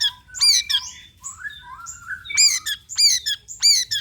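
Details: Lure recording of long-tailed shrike song to draw shrikes into singing: harsh chattering note clusters mixed with thin sliding whistles, bursts coming roughly twice a second.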